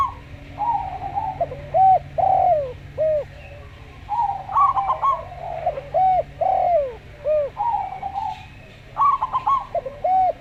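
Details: Slow-singing local zebra dove paired with a calm-voiced Javan derkuku: rapid beaded coo trills alternate with smooth, down-curving hooted coos, phrases following one another closely over a constant low background drone.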